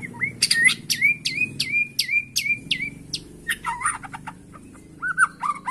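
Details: White-rumped shama lure song for prompting caged birds to sing: a repeated rising whistled note, each preceded by a sharp click, about eight times, then mixed varied whistles over a low background hum.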